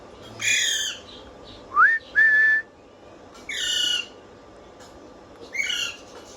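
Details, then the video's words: Pet parrot: a rising whistle and a held level whistle, surrounded by three nasal harmonic squawks. "Parrot whistling full enjoyment"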